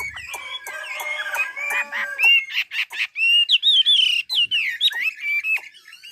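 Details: Melodious Chinese hwamei song from Ha Giang, Vietnam: bright whistled phrases, a burst of loud repeated notes, then fluid rising and falling warbles.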